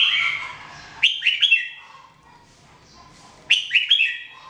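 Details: Red-whiskered bulbul, known locally as Jambul, singing in a 2017 training recording: two bright, slurred whistled phrases, each of three quick descending notes, about two and a half seconds apart, with quiet pauses between.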